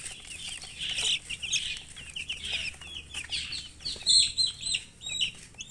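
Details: Loud close chorus of chicks chirping: dense high, sharply falling peeps from several birds, overlapping almost continuously with a few piercing notes, little other sound.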